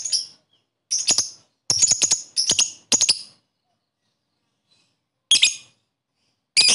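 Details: Lovebird chirping, used to stir lethargic, reluctant lovebirds into singing quickly; sharp, high, shrill chirps in clustered bursts for about three seconds, then a pause and two more harsh bursts near the end.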